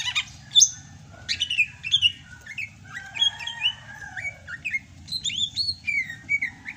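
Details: Greater green leafbird from Sumatra, singing strongly (gacor) in the rainy season, pours out a varied warble of whistled slurs, chips and short trills, with a steady low whistle running beneath part of it.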